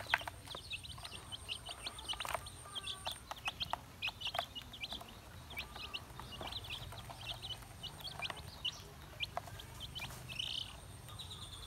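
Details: Young chickens peep steadily while feeding: a scattered stream of brief, high, falling cheeps from several chicks, somewhat softer, with sharp ticks and light knocking sounds in the background.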